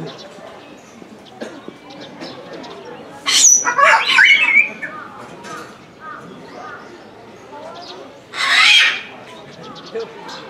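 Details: Salmon-crested cockatoo screaming again and again at a small Japanese zoo in December 2017: two loud, raspy, drawn-out shrieks several seconds apart, with people's voices and murmuring in between.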